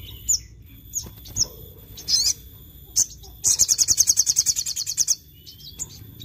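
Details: Sogon (crimson sunbird) in full 'gacor nembak' song meant to provoke rival birds: scattered sharp, very high chips, then a fast ringing trill of about sixteen evenly repeated notes lasting nearly two seconds, followed by a few more chips.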